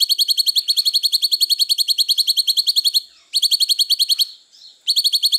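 A cucak cungkok sings long runs of rapid, high, ringing chips, about seven a second, broken by brief pauses.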